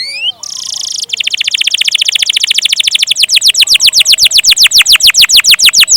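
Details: Canary singing energetically with a long roll: a few short chirps and a brief buzzy burst open into a fast, steady trill of sharp down-swept notes, about eight per second, that runs loud to the end.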